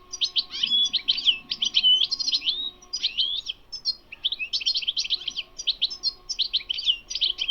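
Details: Bitbita song of a wild European goldfinch: dense, rapid twittering notes grouped in quick bursts separated by brief pauses. A faint low hum sits behind the bird.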